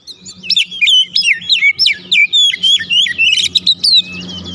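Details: Oriental magpie-robin singing to provoke a response from others of its kind: a continuous, lively string of fluty whistles and sharp upslurs, roughly three notes a second, with a soft low hum throughout.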